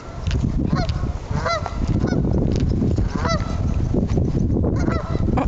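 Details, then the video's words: Geese give nasal, wavering honks in several overlapping bursts near water while a puppy barks at them, over heavy low wind or handling rumble. "Geese ! Bark and Honk off !!!"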